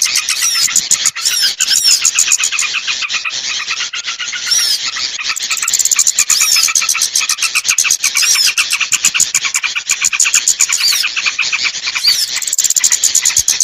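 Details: Lure sound for small birds that are hard to bring down: a busy, unbroken chorus of sharp high chirps, clicks and fast trills, with occasional rising-falling whistled notes woven through the dense chatter.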